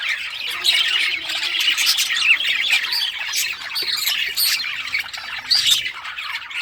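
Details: Several captive budgerigars in rare colour varieties playing with toys, filling the air with busy warbling chatter, buzzy squawks and quick chirps overlapping without pause.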